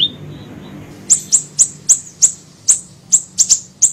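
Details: Small siri-siri bird on a lure recording: after a brief falling note, a steady series of shrill, high chirps follows, roughly three per second, over a low background hum.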